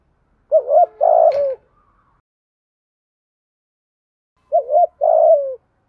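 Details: Spotted dove cooing to lure wild doves, from Đồng Nai, Vietnam: two mellow phrases of quick double note and sustained falling coo, several seconds apart, with one sharp click during the first.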